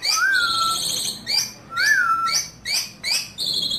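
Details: Captive Asian pied starling singing loudly to draw out other starlings: clear slurred whistles that rise then drop are cut between short harsh squawks. Phrases come in bursts with brief gaps.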